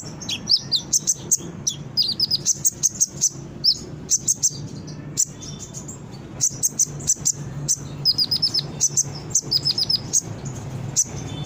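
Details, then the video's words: Brown-throated sunbird song for luring birds into quick response: dense bursts of very high twittering chips, several clusters of rapid notes separated by short gaps, over a constant low hum. "Suara Konin gacor pancingan burung bahan cepat respon dan bunyi"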